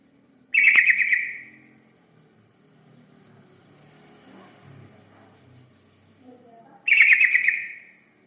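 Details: Lure recording of a yellow-vented bulbul used to attract other birds: two loud bubbly, chattering bursts about six seconds apart, with soft low rumbling background noise between them.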